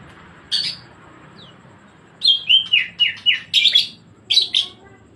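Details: Rapid, regular chattering series of whistled notes from a greater green leafbird in 'gacor ngebren' style, about four per second, preceded by a single harsh burst and ending in two louder, buzzy notes.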